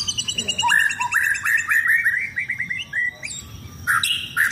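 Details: Caged white-rumped shama set out in the sun for routine sunbathing to keep it fit for song contests; rich song of clear whistles and rising slurred notes, with sharp high chips, over a low background hum.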